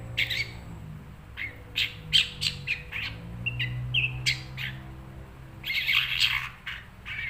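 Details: Kept cendet, the long-tailed shrike, delivering rapid harsh squawks and chirps about three per second, irregular, with a louder grating cluster near the end and a steady low hum beneath.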